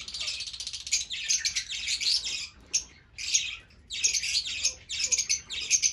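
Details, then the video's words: Fischer's lovebirds in dense, shrill, high chattering bursts lasting about a second each, separated by brief quiet gaps. "طيور الفيشر"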